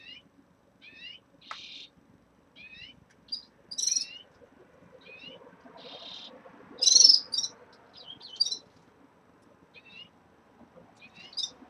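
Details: Caged red-fronted serins starting to moult give many short high chirps and curling twitter notes at irregular intervals, one louder burst midway, with two brief rustling noises from the cage.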